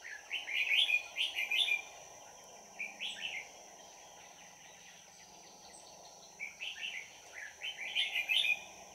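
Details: Red-whiskered bulbul singing as a trapping decoy on 22 December 2018. Clusters of fast, chattering warbled notes at the start and end are separated by a quieter pause, all over a constant high whine.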